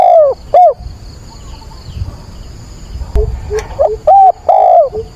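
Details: Decoy spotted dove cooing at dawn, 22 October, kept to draw in wild doves. Mellow hooted coos open the recording, then a quiet gap with a sharp click, then a fuller phrase of several descending, rounded notes.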